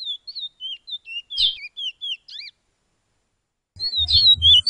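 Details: A Chestnut-bellied Seed-Finch training song for teaching captive birds gives clear, pure whistled notes that swoop up and down, about four a second, then a pause that lets the pupil bird practise before the phrase resumes over a faint low rumble.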